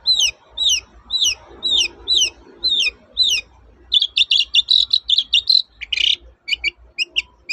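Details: Long-tailed shrike, toet-toet style, used to lure quiet shrikes into singing: six hooked whistled notes spaced about half a second apart, followed by a rapid, dense chattering run of short notes and a rasp.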